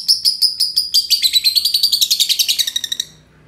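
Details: Two green lovebirds singing together in a long ngekek: a rapid run of shrill chattering notes, about six per second, speeding up and merging into a dense trill before stopping abruptly.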